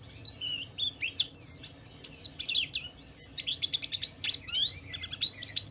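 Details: Gacor white-eye (Pleci Wiklus Wiksar) song in the 'ngalas' style, intended as a lure so other white-eyes sing along; rapid, jumbled high chirps, trills and rising-falling whistled notes.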